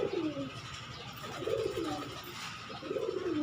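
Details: A pet Giribaz pigeon gives low, soft coos that dip and roll, repeated every second or so.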